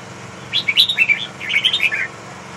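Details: Red-whiskered bulbul, a large bird of the Huế type, singing one short, rich, warbled phrase of quick bright notes lasting about a second and a half over a low steady hum.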